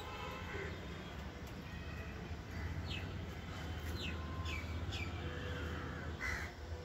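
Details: Jungle babblers in a terrace garden give a few short, squeaky, downward-sliding notes about a second apart, over a steady low rumble and a thin, constant high whine.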